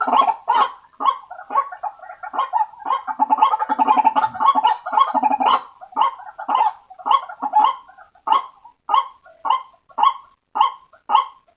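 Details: White-breasted waterhen calls used as a lure to attract waterhens. Harsh, nasal croaking notes, dense and overlapping at first, then settling into single loud notes repeated roughly twice a second.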